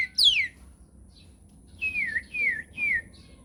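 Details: Nias hill myna giving loud, clear descending whistles: one sharp high downslurred note, a pause, then three similar falling whistles spaced about half a second apart, part of a lively lure song for other mynas.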